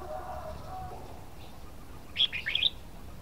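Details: A red-whiskered bulbul sings one quick, bright warbled phrase of a few rising and falling chirps near the end. A low hum sounds early on.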